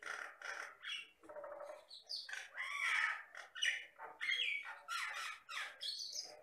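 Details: Jalak Batam myna, a mimic of the Riau islands lowlands, singing vigorously: a busy run of harsh squawks, chattering buzzy bursts and short whistled notes, changing roughly every half second with barely a pause.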